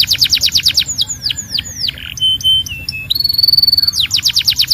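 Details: Belgian canary in song: rapid falling notes, slower curved whistles, a short buzzy passage and a steady held whistle, then a fast stuttering trill that resumes the quick downward notes.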